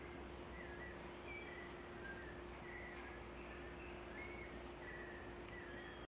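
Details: Green-headed tanager (Tangara seledon) at Intervales, Brazil, in October 2013, giving thin, very high, sharp call notes, three or four spaced over several seconds, over a steady low hum and faint distant birdsong.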